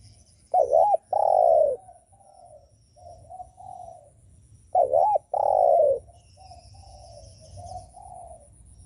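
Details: Spotted dove cooing to provoke other doves: two phrases about four seconds apart, each a quick looping note, then a loud, drawn-out, falling coo, trailing into softer murmured coos.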